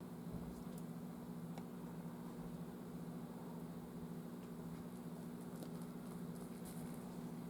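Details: A quiet low hum with faint background hiss and a few soft clicks, with no animal voices.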